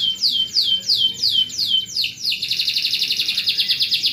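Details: Canary song as a training masteran for other canaries: six clear downward-swept whistles about every quarter second, then a rapid dense buzzing trill to the end.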